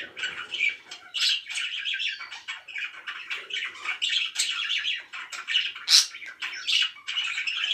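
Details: Budgerigars kept as pets, said to be very happy, give rapid overlapping chirps and harsh squawks, with a sharp high squeak near the end.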